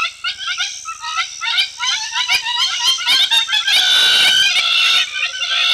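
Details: A very noisy Hamerkop in the background at a hide in the Olkirimatian Conservancy, South Rift Valley, Kenya, gives loud, rapid, nasal yipping notes at about two per second in excited chatter, then a rushing hiss.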